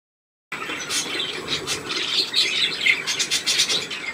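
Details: Restless chicks recorded on 2 November 2015, giving dense, overlapping high-pitched peeps and chirps in a continuous busy chatter, with a steady background hiss.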